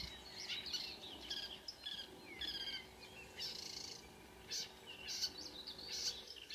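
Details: Marsh warbler (Acrocephalus palustris) singing at 5 a.m. on 2 June 2009 near Kråkstad, Ski, Norway, with more than one singer present; a varied, chattering stream of high warbled phrases and trills, with steady background noise.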